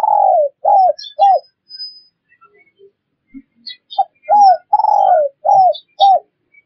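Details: Spotted dove calls used as a lure to catch wild birds: hoarse, downslurred coos and short arched notes in two quick clusters split by a quieter gap, with faint high chirps scattered above.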